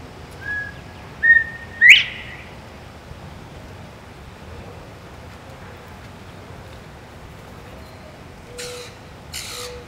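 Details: Male northern bobwhite visiting a backyard feeder in southwest Florida, giving a clear whistled call: two short level notes followed by a sharp, loud upslurred whistle. Quiet background, with two brief broadband noise bursts near the end.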